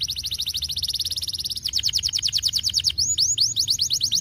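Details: Canary song meant to stimulate lazy canaries to sing: fast, very regular high notes in a rolling trill, shifting into slower downward-sweeping notes, then into rising whistled slurs.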